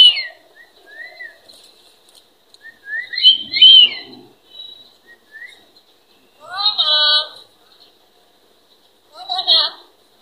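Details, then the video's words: A talking common hill myna mimicking speech, said to talk very beautifully; clear whistled glides and rising notes, then two louder harsh, speech-like phrases with stacked tones near the end, separated by short silences. "কথা বলা ময়না পাখি অনেক সুন্দর করে কথা বলতে পারে"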